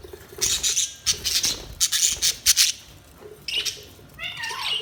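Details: Several budgies chatter with harsh, scratchy bursts in quick succession, ending in a short run of quavering, wavering chirps.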